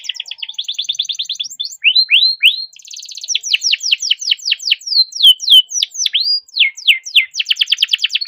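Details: Long continuous canary song meant to prompt stuck canaries to sing: fast pulsed trills give way to a string of quick rising whistled sweeps, then a dense rattling roll, delivered about three and a half notes per second.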